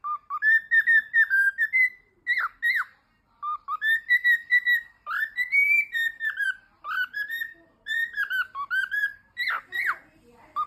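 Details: A pet cockatiel singing while playing peek-a-boo: a run of clear whistled phrases, rising and falling around a bright mid pitch, with short pauses between bursts.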